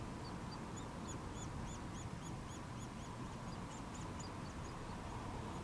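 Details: Nuttall's woodpecker chicks being fed, giving a steady run of thin, high squeaky notes, each quickly rising and falling, repeated several times a second over a low rumbling background.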